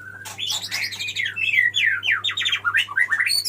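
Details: White-rumped shama male singing to call a female: a dense, fast stream of varied whistles and buzzy slurred notes, sweeping up and down without pause, with a faint low hum beneath.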